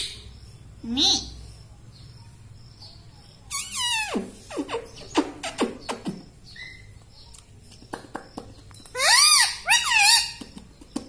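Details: Talking parrot, said to say "papa" and "mummy": bursts of harmonic, voice-like squawks and rising-falling syllables, some loud and buzzy near the end, separated by quiet gaps over a low background hum.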